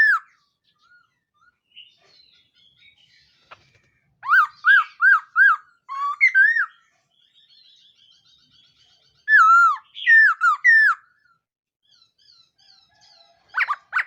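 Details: Morning training song of a laughingthrush: clusters of four or five rich, bending whistles, repeated in two loud bursts about five seconds apart, with faint softer chatter between phrases.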